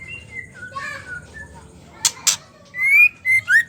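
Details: Female white-rumped shama ketrekan for stimulating male song: soft notes over light hiss, two harsh rasps, then three loud clear whistles.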